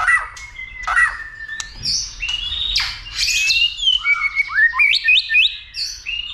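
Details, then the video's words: White-rumped shama trained to sing many voices, excited to fight with tail flicking: level whistles give way to a fast stream of high rising and falling notes, repeated several times a second. "Kích Chòe lửa Lên Lửa, hót nhiều,chòe lửa đánh đuôi kích đấu .luyện chòe lửa hót nhiều giọng"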